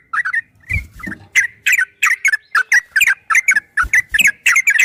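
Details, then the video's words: Yellow-vented bulbul singing the long ropel style for training caged birds: bright gurgling notes tumbling quickly after a short pause, with low bumping noises at the start. "Suara burung trucukan MASTERAN TRUCUK ROPEL"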